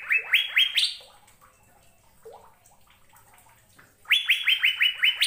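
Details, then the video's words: Short phrases of Asian fairy-bluebird song: a few quick falling whistles with a higher note, a faint lone lower note in the quiet gap, then another fast run of bright downslurred notes. "Burung Sorga Cucak Biru Sedang Bernyanyi Gacor"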